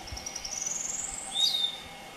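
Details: Single Piratic flycatcher (Tuquito chico) calling at Puerto Paraíso, Misiones, in September 2015: a thin, high whistle slowly rising for over a second, then a sharp short lower note, with faint steady background hum.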